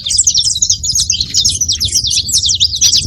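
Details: Male and female saffron finch together, giving a dense, unbroken stream of high, sharp chirps and twitters that overlap without pause, over a faint low rumble.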